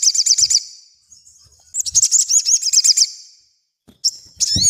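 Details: Sogon in lively song, kept as a master for teaching other birds: rapid high looping notes in quick runs, a thin whistle, then a dense chattering phrase and a sharp falling note, with faint low thumps.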